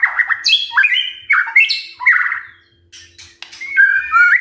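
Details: White-rumped shama singing as a morning tutor track to provoke other shamas into singing: a rich, varied song of loud whistles, sharp downslurred notes and rapid chattering phrases, with harsh squawky bits mixed in.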